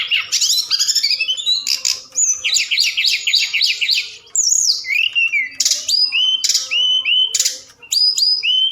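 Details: Night-time forktail lure call used to stimulate other birds: a fast run of rising chirps, then rattling buzzy bursts and a series of clear, drooping whistles repeated near the end.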